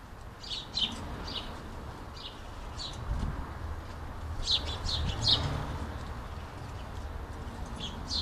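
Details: A flock of hungry house sparrows crowds a UK garden feeder, trading rapid, overlapping chirps, several per second at times, over a low rumble of background noise.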